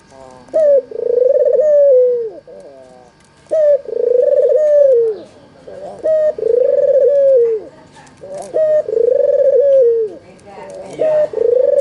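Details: Steady series of coos from a red-eyed white Barbary dove, a lure for reluctant callers: four phrases roughly every three seconds, short sharp opening note, drawn-out tremulous purr, soft descending close.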